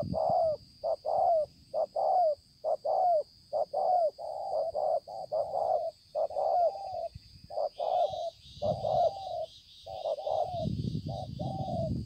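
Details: Spotted dove, a wild-caught 'bổi' bird with a finely spotted neck, recorded at Konlong on 5 September 2020. It gives low hollow paired coos, a short note then a longer one, repeated steadily about once a second over a thin high steady whine.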